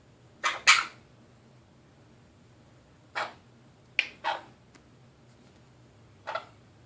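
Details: Pet Nanday conure calling at its reflection in a mirror indoors; short, harsh, broadband squawks come in irregular bursts, about six across seven seconds, some paired closely, with a quiet room between them.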